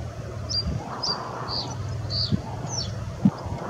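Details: Common reed bunting at Riverside Nature Park, Dundee: short, high, thin chirped notes spaced through a few seconds over a steady low rumble of background noise.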